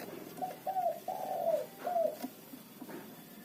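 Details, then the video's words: Local zebra dove in loud lure song for trapping: short lead-in notes, then three soft, warbling coos each gliding downward, with faint clicks and hiss behind. "perkutut lokal gacor pancingan ampuh suara keras kecil cocok untuk pikat lawan"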